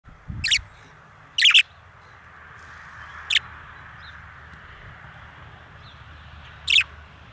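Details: Four male budgerigars kept outside; four loud, short, harsh chirps spaced irregularly over several seconds, separated by quiet gaps with a faint steady background hum.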